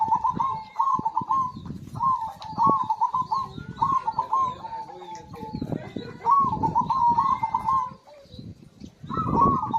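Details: Cooing zebra dove played as a prompt for birds that have stopped singing: a run of short rolling, bubbling coo phrases near one pitch, repeated several times with brief gaps, amid clattering and low background noise.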